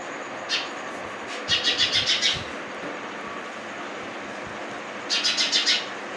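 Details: Baby sparrow giving a single chirp, then a quick run of about six sharp, high chirps, and a second similar burst near the end, over a steady, loud background rumble.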